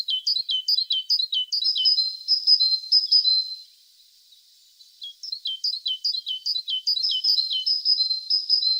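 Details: Tit song in two bursts of quick, high downslurred notes, repeated in a tight series, then a pause of about a second before the run of notes starts again.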